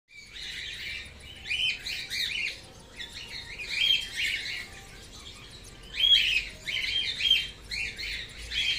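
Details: A grey whiteface cockatiel gives bursts of scratchy, high chirps in clusters every one to two seconds, with quiet pauses between.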